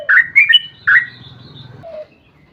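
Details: Brief yellow-vented bulbul song fragment in gacor ropel panjang style, used as a lure for other bulbuls: three bright rising chirps, then one low soft note, over a faint background hum.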